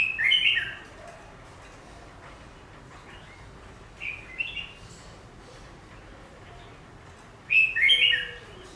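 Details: Chinese laughingthrush in a cage, set in front of glass to see its reaction: three short loud whistled bursts, at the start, near four seconds and near the end, with quiet background between.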